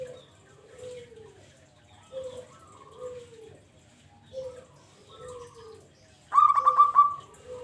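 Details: Local zebra dove (perkutut) calling as a lure for trapping doves: soft, low, mellow coo notes, each slightly falling, repeated in loose groups, followed near the end by a louder, brighter ringing burst.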